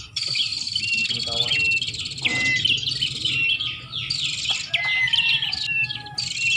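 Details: Prinias calling on a lure track for attracting birds: steady high, buzzy chatter with sweeping chirps and short whistles, plus a brief lower sound midway.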